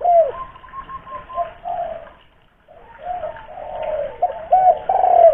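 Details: Local spotted dove, a lure bird with a big voice, from Kuningan, West Java, giving deep cooing phrases: a stressed coo followed by longer rolling coos, a pause of about half a second, then the phrase again, ending on strong coos.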